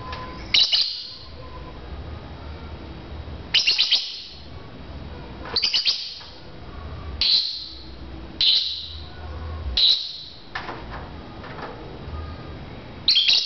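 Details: Lovebirds engaged in a chirping contest: loud, shrill single chirps repeated roughly every one and a half to two seconds, evenly spaced, against a faint hum.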